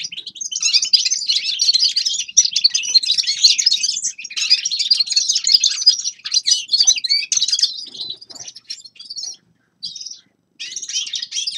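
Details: Winter song of forest birds, a nearly continuous stream of high, rapid twittering and chattering notes, easing into shorter bursts with two short gaps near the end.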